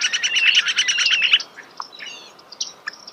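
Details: Starling delivering a fast stuttering run of repeated chirps, about three per second, that fades into scattered faint clicks and squeaks, heard close in a natural setting.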